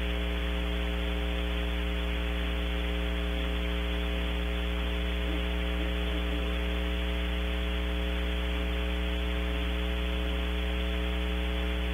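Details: Only a steady electrical hum with faint static is heard, with no animal calls.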